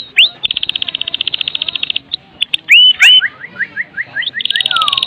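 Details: Energetic Medan white-rumped shama song, full of filled-in phrases, played to prompt other shamas to sing: buzzy rapid trill, rising whistled slurs, then a series of short rising notes about five per second.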